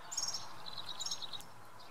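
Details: Male European serin at Oksywie on a Sunday, giving a fast, high, tinkling jingle of clustered buzzy notes that drop slightly in pitch, with low steady background noise.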